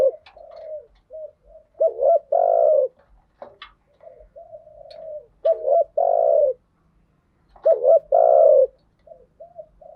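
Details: Spotted dove, male and female, coos used as a lure to stimulate birds: soft low cooing notes build into loud, rolling, throaty coos repeated about every three seconds, with faint clicks between.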